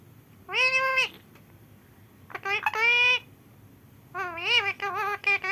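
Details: Home-kept rescued parrot, unable to fly and raised from a baby until it learned to speak, utters three speech-like phrases of nasal, wavering syllables separated by short pauses, indoors.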